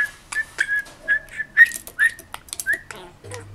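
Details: A pet male budgie of three and a half chatters excitedly to its mirror reflection after morning rain, producing short rising whistles around a steady pitch, each broken by dry clicks, about two per second.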